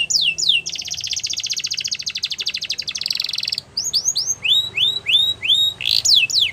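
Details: Canary song played to start other canaries singing: a couple of chirps, a long buzzy rapid trill, then a string of rising whistled notes and a final trill burst.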